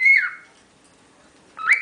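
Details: One of ten pet cockatiels whistling: a clear whistle falling slightly in pitch, a pause of over a second, then a rising slurred whistle.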